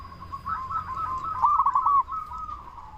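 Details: Local zebra dove, its voice used as a lure to make other zebra doves respond: a soft, wavering run of coos that swells to a quick, rolling flourish mid-way, then fades into a steady hum.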